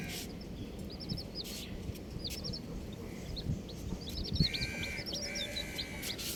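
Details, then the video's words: Colourful baby chicks peeping in quick rattling groups of high, short chirps, pausing between groups. A faint whine runs late on, over low rustling noise. "Colourful Baby Chickens | Cutie Chicks Chirping Sounds"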